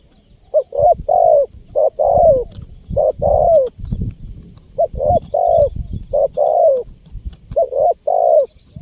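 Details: Spotted dove calling without pause, a sound used to lure wild birds: dense back-to-back phrases of hollow two- and three-note coos, drawn-out notes falling slightly, over a low thumping background.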